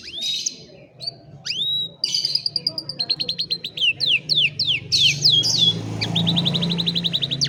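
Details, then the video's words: Singing canary used as a training song for a lazy bird, captured by cellphone: rising whistles open, followed by a string of repeated downswept notes and sharp sweeps, over a steady low background hum. "Canción Canaria para Cantar Canario Perezoso Entrenamiento | Canary Singing"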